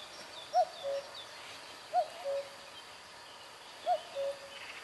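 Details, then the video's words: A Common Cuckoo by overgrown ponds in Loire-Atlantique, France, in May gives its familiar two-note cu-coo, high then lower, three times about two seconds apart, over a faint background hiss. "Écoutez, un coucou."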